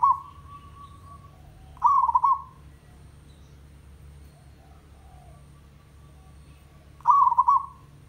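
Zebra dove giving soft, rolling, trilled coos of about half a second, spaced several seconds apart, over a steady low hum.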